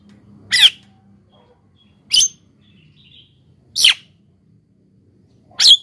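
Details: Javan myna song played to lure wild birds and prompt silent captive ones; four harsh, burry squawks spaced about one and a half seconds apart over a faint low hum.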